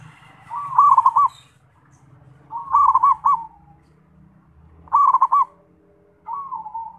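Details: Zebra dove singing four phrases about two seconds apart, each a quick series of stuttering coos ending in a trill, the last phrase softer and drawn out, over a faint low hum.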